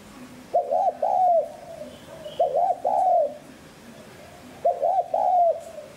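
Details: A spotted dove, played to lure and stimulate other doves to coo, gives three low, hoarse coo phrases about two seconds apart, each a quick double note sliding into a longer rolling coo.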